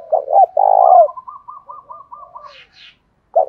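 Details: Spotted dove kept as a decoy to lure wild doves, giving a rough, throaty coo in the local thổ pha voice style: stuttered notes then a long burry coo, followed by softer repeated short notes and another coo starting.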